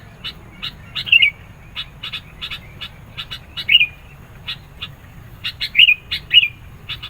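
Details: Sooty-headed bulbul singing persistently, its song used to press rivals and lure birds: short bright two-part whistled notes sliding downward, given four times among a steady patter of dry, rapid ticking clicks.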